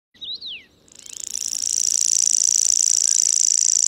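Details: Common grasshopper warbler (Locustella naevia) singing a high, dry, continuous insect-like reel that starts after a brief downslurred chirp and holds steady without pause to the end, with no other clear sounds.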